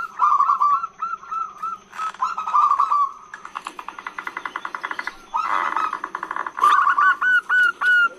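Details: Calling female zebra dove, heard as a lure for males: rolling whistled trills, then a fast dense train of short pulsing notes, then more wavering trills and clear slurred whistles.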